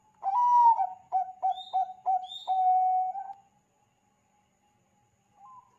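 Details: Song of a Bangkok zebra dove, played to get other doves calling: one swelling rising coo, then four quick soft coos and a long level final coo, followed by quiet and a faint closing note.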